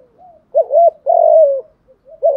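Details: Spotted dove cooing, used to stimulate newly caught doves: a soft low lead-in, then a quick doubled wavering coo and a longer, steady, slightly falling coo, with a faint coo closing the recording.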